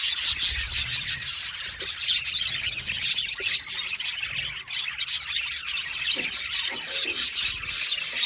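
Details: Aviary-kept budgerigars in a colony keep up a dense, scratchy twittering, sharp chirps and squawks overlapping without a break.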